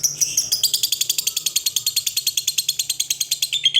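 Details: Lovebird giving a long ngekek call: a fast, unbroken, high-pitched chattering trill of sharp buzzy notes, about eight per second, rolling steadily through the clip with a faint low hum behind.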